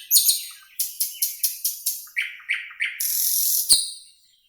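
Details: Nightingale singing in a green forest: a rapid series of about ten sharp, high, clicking notes evenly spaced, then three lower whistled notes, ending in a loud high buzzy rattle and a sharp click.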